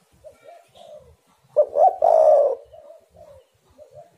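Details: Spotted dove cooing as a lure to get doves calling: one strong phrase of two clipped notes sliding into a drawn-out rolling coo, framed by faint, low, soft coos before and after.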